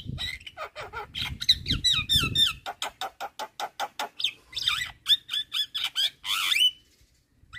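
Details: Jalak kebo, or Javan myna, in vigorous full-fill song made to tutor other songbirds: dense twisting whistles and harsh chatter, then a steady run of sharp clicking notes and squeals, with low rumble early on.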